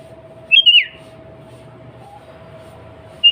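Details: Sooty-headed bulbul female calling to the male, meant to provoke bulbuls to answer in song: a single sweet whistled phrase of two quick notes dropping in pitch, then silence with a low hum and a fresh phrase starting at the end.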